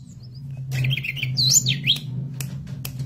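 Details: Forktail from the mountains, singing in a recording meant to teach other birds to sing: sweeping whistled notes rising and falling over a steady low hum.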